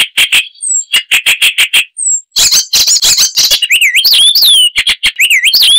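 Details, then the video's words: Loud, varied Icterine warbler song mixing sharp chipping notes, thin high whistles and, toward the end, rising and falling slurred whistled phrases. "Icterine Warbler (Hippolais icterina)"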